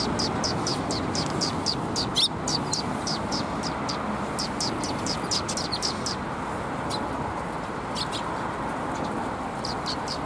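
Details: Several sparrows taking food from a tree branch at a Tenmangu shrine on 5 April 2021, giving rapid, high, short chirps repeated almost twice a second, over a loud steady background roar.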